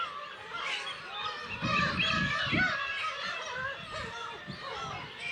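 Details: Black-tailed gulls breeding on Kabushima island, Hachinohe, Japan, 10 June 2020 with chicks, GoPro HERO8; layered, wavering mewing calls from many gulls about three per second, with low thuds through the middle.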